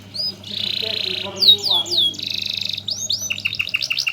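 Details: Canary serving as a master bird for song teaching: buzzy trills alternate with sharp downslurred whistles, ending in quick chirping notes. A low hum and faint lower sounds are heard in the background.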